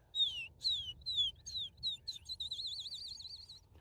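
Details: On an early-summer early morning in grassy open habitat, a Field Sparrow sings its 'bouncy ball' song: clear downslurred whistles that speed up like a dropped bouncing ball, ending in a fast trill, over a faint low background hum.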